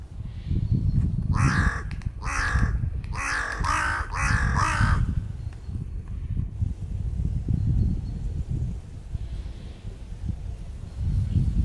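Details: Crows fighting at a border over peanuts, with postures, cries and attacks: a crow gives four harsh, raspy caws about a second apart, then falls quiet over a steady low rumble of wind.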